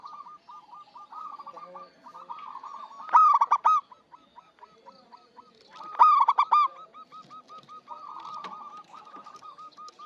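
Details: Local zebra dove in lively song, used as a lure for bird trapping: long runs of quick, even, mid-pitched cooing notes, twice broken by loud, rich, rolling bursts of about half a second.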